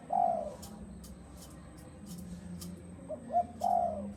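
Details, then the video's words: Spotted dove, Malaysian strain kept as a ground decoy, in the "giọng đồng" voice style: a hollow drawn-out coo, a pause with faint clicking, then two quick short coos and another long coo. "Giọng đồng"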